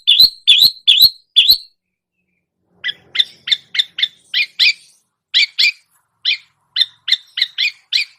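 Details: Long-tailed shrike mimicking other birds: four loud, clear chirps, a pause, then a looser stream of softer, two-toned squeaky notes.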